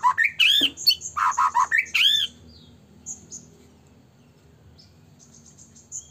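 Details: White-rumped shama in full song, used as a lure to make other shamas sing and provoke them: a loud burst of varied whistled and chattering phrases for two seconds, then quiet with faint, high, thin notes and a low hum.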